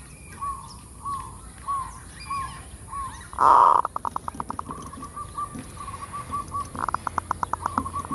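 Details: Full kerot zebra dove song for luring: a string of soft repeated coos, then one loud rasping burst followed by a long run of clipped pulses, with more pulsed cooing toward the end.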